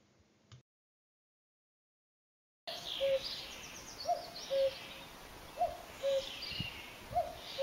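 Common Cuckoo giving its familiar two-note 'cu-ckoo', the first note higher, repeated about every one and a half seconds over steady outdoor background noise.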